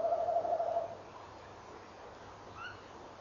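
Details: At 06:45 on 18 November 2013, a male tawny owl gives a low, wavering, tremulous hoot lasting under a second; about two seconds later the female gives a faint, higher answering note, encouraging him.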